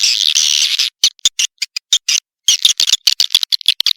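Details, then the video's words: Swiftlet lure call, Tombak Raja style, meant to draw swiftlets in: a steady buzzy high chatter for almost a second, then short choppy chirps and clicks in quick irregular bursts. "SUARA BURUNG WALET - TOMBAK RAJA"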